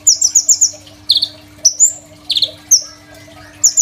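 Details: Crimson sunbird song for use as a master for training songbirds, recorded on an Oppo A37f phone: high rapid trills, buzzy slurred notes and sharp whistles in short bursts separated by brief pauses.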